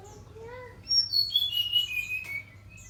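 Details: Brown-chested jungle flycatcher in full, vigorous song: a clear run of high whistled notes stepping downward in pitch, each note slightly slurred, over faint low background hum.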